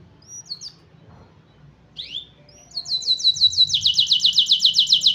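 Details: Canary singing: a few thin high whistled slurs and a downward sweep, then a rapid series of repeated high chirps building into a loud, steady trill of quickly pulsed notes.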